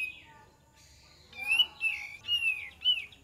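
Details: Lure song of a kapas tembak bird, meant to provoke an answer. One fading whistle is followed by a pause, then four bright, slurred whistled phrases close together over the last two seconds.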